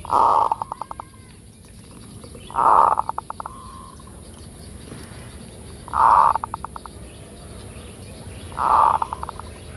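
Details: Zebra dove giving a full kerot-style song for luring birds: four phrases, each a loud low cooing burst followed by a fast trail of short staccato notes, repeating roughly every three seconds over a steady faint background hiss.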